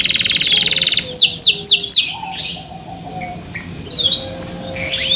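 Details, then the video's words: Caged canary in full song, the kind said to set other canaries singing: buzzy trill, then four quick descending sweeps, scattered soft chirps and a faint low tone, ending on another buzzy burst. "THE SOUND OF CANARIES CAN MAKE OTHER CANARIES JOIN TO SING"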